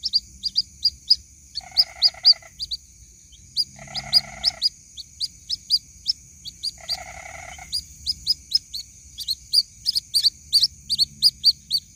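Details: White-breasted waterhen chick calling for its mother, a lure recording: continuous sharp high peeps, often paired, broken by three nasal buzzy bursts, with a faint low murmur near the end.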